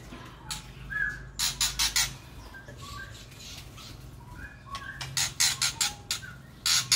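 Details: Aviary-kept white-rumped shama young begging as their parent feeds them: bursts of four to five loud, raspy, hissing squawks in quick succession, separated by pauses with soft, short whistled notes.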